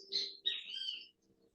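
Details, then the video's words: Great Kiskadees singing right beside the speaker in Caraguatatuba, Brazil: two loud, harsh, buzzy notes, the second longer and falling, about a second in all, over a low hum and speech. "Vocês podem ouvir os bem-te-vis bem do lado que estão aqui de mim cantando, né?"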